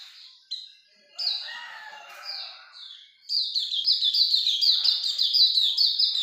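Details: Hume's white-eye in full ngalas longgun song: a few scattered high notes and softer twittering give way to a dense, rapid chain of shrill descending chirps in the second half.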